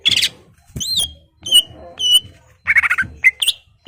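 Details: Greater green leafbird singing to stir a rival into fighting, delivering short separated bursts of sharp whistled and chattering notes with brief pauses between them.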